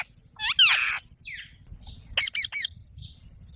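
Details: An Alexandrine parakeet gives a loud, grating squawk, then after a pause a quick run of three clipped, raspy calls, with a low hum beneath.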